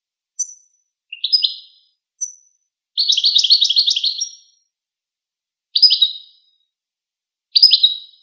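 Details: Goldfinch twittering, chattering as the bird does during interactions or courtship: thin high call notes, a rapid buzzy chittering run of about a second and a half, then separate short twittered phrases spaced about two seconds apart.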